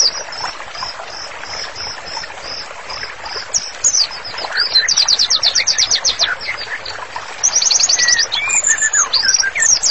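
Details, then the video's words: Continuous white-rumped shama song for training other birds: evenly repeated high chips, then fast rattling trills of sharp notes and scattered lower whistles, with a constant hissing background. "MURAI BATU GACOR, MASTERANNYA COCOK BANGET UNTUK TERAPI"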